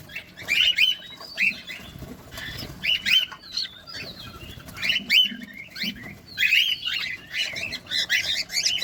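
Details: Cockatiels being fed close up make repeated rasping chirps and brief whistles in irregular groups, with soft rustling and a low hum beneath.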